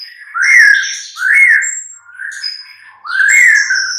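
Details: Mid-morning lure song of a white-rumped shama, meant to get other shamas answering and singing. Slow, full, fluty whistles rise and fall in four phrases, with faint high piping notes above them.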